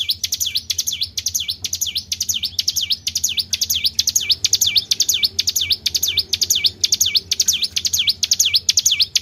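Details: Tribel bird lure call for attracting other birds, nine seconds of unbroken high chirps, each swooping down and back up, paired and repeated about twice a second, over a low hum.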